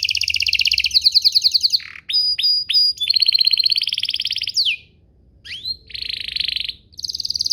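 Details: Canary song as a lure to make other canaries answer: long rapid buzzy trills, a few sharp falling notes, a short pause, then more rolling trills.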